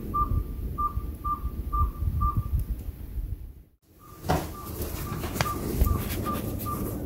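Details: Mystery owl calling outside a house: evenly spaced single-pitch whistled toots, a brief silent break, then the series resumes among sharp clicking and handling noise.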